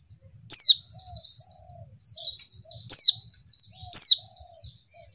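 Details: Female white-eye call used as a lure to provoke males into calling quickly, as in the wild. High, thin twittering chatter with sharp downward-sweeping chirps at about 0.5, 3 and 4 seconds, separated by continuous warbled notes. Faint low knocks underneath.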